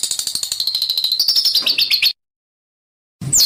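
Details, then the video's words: Training master of a bird's harsh besetan song for competition birds: quick run of sharp high chirps that slide into a warbled, rising-falling stretch, then a pause and a brief loud burst. "MASTERAN Burung Denagn Suara Besetan Kasar"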